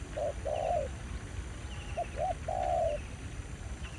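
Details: Territorial male spotted dove calling near a decoy at a trapping ground in Vietnam. A short coo and long flat coo, a pause, then two quick notes and another long coo; faint high chirps behind.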